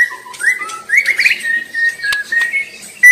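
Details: White-rumped shama singing in its natural surroundings, used as a training master song: a series of clear whistled notes with a short, quick trill and a few faint clicks in between.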